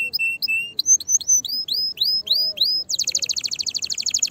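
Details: Canary song used to stimulate mating and other singers: steady whistled notes, then a run of upward-sweeping whistles repeated about three per second, closing in a fast bright trill.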